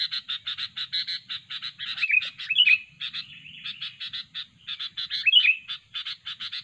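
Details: Sooty-headed bulbul, described as very fierce and chatty and used as a trapping lure, giving rapid bursts of short repeated notes, stuttering runs broken by brief whistled flourishes, with a faint low rumble underneath.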